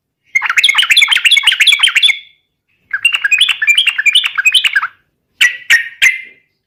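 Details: Yellow-vented bulbul singing as a lure for other birds, with two long bursts of rich, bubbling warbled phrases separated by a short gap, ending with three separate loud clipped notes.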